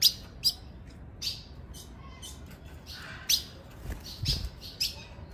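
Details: Ultramarine grosbeak female call meant to stir up males: short, bright, high-pitched chip notes at uneven intervals, roughly eight in five seconds, against faint background hiss.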